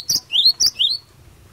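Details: Brief burst from a cinereous tit singing in the provoking 'gacor fighter' style: two crisp two-part phrases, high piercing note then a lower swooping whistle, ending in quiet.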